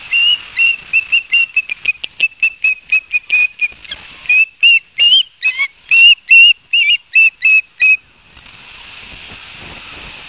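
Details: Osprey calling at its nest at Barnegat Light, New Jersey, on 31 August 2022 around 12:30, picked up by a nest camera: a rapid run of sharp, whistled chirps, about two or three per second, for eight seconds, then steady hiss.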